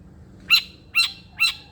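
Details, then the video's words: Long-tailed shrike sound from a training track to stir lazy shrikes to sing: three harsh, squeaky notes, each bending in pitch, spaced about half a second apart against a quiet background. "irama KICAU CENDET gacor....cocok untuk pancingan/masteran cendet malas bunyi"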